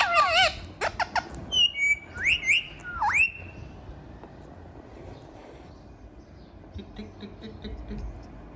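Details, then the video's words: Dancing and talking pet ringneck parrot lets out harsh wavering squawks, then several sharp upward-sweeping whistles in quick succession, followed by soft distant chatter and room noise. "Funny Parrot Talking and Dancing"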